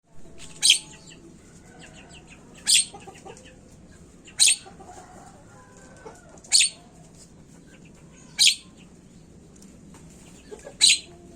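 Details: Javan myna (jalak kebo) lure recording meant to make birds start calling quickly: six loud, harsh, rasping screeches spaced about two seconds apart, each short and noisy, over a faint steady low hum.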